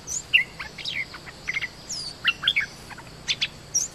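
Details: Bulbul decoy calling to lure wild birds to a trap cage: scattered short whistled and chirped notes, some sliding downward, with higher thin chips from other birds over steady background hiss.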